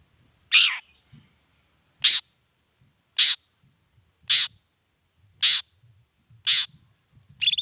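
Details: Long-tailed shrike repeating short, dry, scratchy calls at a steady pace of about one a second, meant to stir other shrikes into answering; quiet background with faint low noise.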